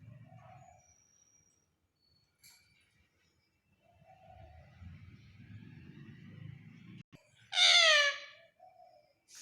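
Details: A parrot gives one loud, harsh, strongly harmonic squawk lasting under a second near the end, after a quiet stretch with low rumbling background noise and a few faint higher sounds.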